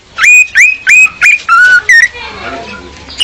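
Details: Lure song of a female orange-headed thrush, meant to attract a male and train males to sing: five or six loud whistled notes with upward hooks in quick succession, then a softer, fading warble.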